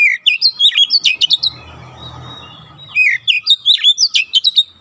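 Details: Fast, dense nembak rapat song of an oriental magpie-robin, used as training for young birds: two bursts of rapid, piercing twisting notes separated by a short pause of soft background noise.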